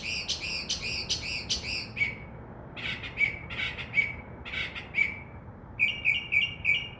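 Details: Northern mockingbird singing in a tree by a window around midnight, a mimic of crow caws and dove wing sounds; fast stacked chatter notes, then a series of harsh squawky bursts ending in a rapid high trill.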